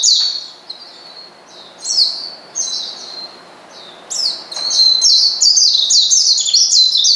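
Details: Oriental white-eye calling out to a rival, starting with spaced single high down-slurred notes, then breaking into a fast, loud string of chirps near the end.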